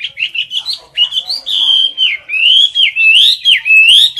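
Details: Caged Chinese hwamei singing loudly in competition style at close range: an almost unbroken stream of slurred whistles that rise and dip, with sharp upward flicks near the end.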